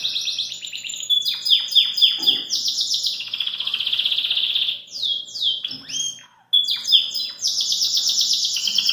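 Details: Belgian canary singing outside its cage, a continuous rich song of rolling trills and buzzy high warbles, with fast repeated notes and brief pauses, strong throughout.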